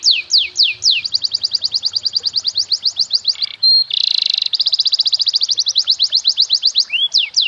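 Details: Canary master song in the luxurious 'cengkok mewah' style, used to train young birds: loud, fast rolling trills of sweeping high whistled notes, rapid repeated syllables broken by a brief buzzy section, then more rolling phrases.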